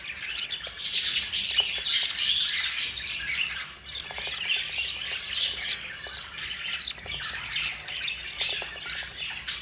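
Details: Budgerigar young, four, begging while their yellow mother feeds them: continuous rough, rasping squawks blending into a near-constant scratchy chorus, loudest at the start.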